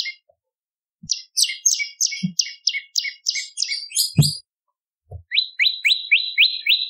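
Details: Bar-winged prinia lure song, also used to tutor magpie-robins and leafbirds: a row of buzzy, rasping high notes, a short gap, then a rapid string of clean rising chips.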